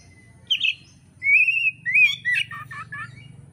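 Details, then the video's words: Oriental magpie-robin song used as training material for songbird keepers in Indonesia: a clear whistled note held level, then a tumbling run of rich, varied whistles and slurred phrases, with low background hum. "kacer gacor materi komplit kicau mania Indonesia"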